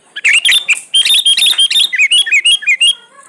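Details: Sooty-headed bulbul singing vigorously, used as a lure to get reluctant bulbuls to sing: rapid run of short bubbly whistled notes, first rising then falling in stepped phrases, about twenty notes in three seconds, with no other sounds.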